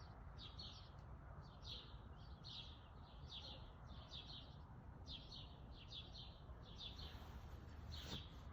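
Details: Male Downy woodpecker at a backyard bird feeder in Calgary, Alberta, on June 27, 2021, at 1:14 pm: short, sharp high notes repeated about twice a second over a steady low rumble of background noise.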